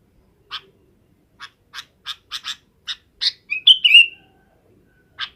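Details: Afternoon roost-gathering calls of a sooty-headed bulbul: a run of sharp, scratchy chips that speeds up, then a short twittering whistled phrase, then one last chip. The background is quiet.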